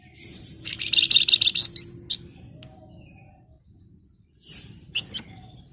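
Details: Female flamboyan calling a male, a lively ngebren or nyerecet call: a dense rattle of piercing high chirps for about a second, then scattered single notes over a steady low background hum.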